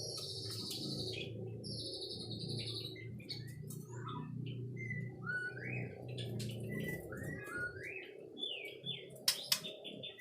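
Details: ['White-rumped shama song: a string of looping, slurred whistles and short upward-curving notes, separated by brief pauses, over a constant low droning hum, with a few sharp clicks near the end.']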